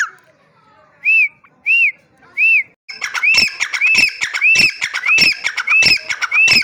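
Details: Partridge, called teetar, giving three separate arched whistles a little over half a second apart. A faster run of harsh, clicking, repeated calls with whistled tops follows, steady to the end.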